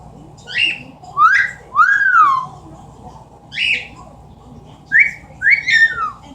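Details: Amazon parrot kept as a pet, imitating sounds: a series of loud whistled notes, several upslurred and one long arching whistle, coming in clusters with short silences, over faint indoor hum.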